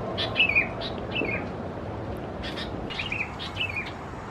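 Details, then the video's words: Sooty-headed bulbul chicks, subspecies thais, in Khao Yoi, Phetchaburi, Thailand, during June: repeated downslurred chirps, several in quick pairs, loudest at the start, with soft background hiss. "นกปรอดหัวสีเขม่าวัยอ่อน Sooty-headed Bulbul chicks"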